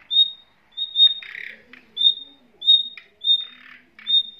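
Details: Female and male nightingale caged with young: sharp high whistles recur about every 0.6 seconds, alternating with harsh grating squawks and faint low murmurs.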